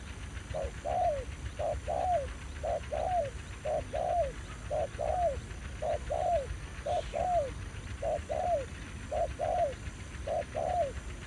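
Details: Territorial male spotted dove in Vietnam calling against a trapper's decoy. Quick, evenly spaced double coos, a short note then a curved falling one, about a dozen in succession, with faint rural background.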